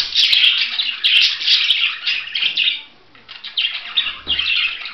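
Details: Budgerigar giving a dense, scratchy warbling chatter in bursts, with a short quiet gap near the middle before the rapid twittering resumes; a few sharp clicks stand out.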